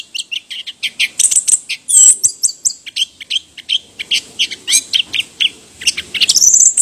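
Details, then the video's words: Orange-headed thrush in fast, continuous song of varied high chirps, trills and sharp whistled notes, with short phrases following one another almost without pause and ending in a rising, thin squeal. "橙头鸟 anis kembang bird orange head"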